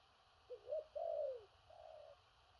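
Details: Spotted dove singing the "thổ rặc" cooing style. One phrase of two brief rising notes and a long downward-sliding coo, followed by a softer, flatter trailing note, against light background hiss.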